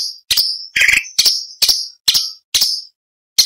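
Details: Orange-bellied leafbird song as tutor material for other songbirds: rapid, piercing staccato notes with short whistled tails, roughly seven bursts in three and a half seconds, one note richer and lower, no other sounds.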